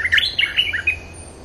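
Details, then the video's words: Bulbul sound for luring wild birds, a rapid babble of slurred, liquid whistles tumbling downward then leveling off, crisp and close. "suara pikat merbah lekir gacor"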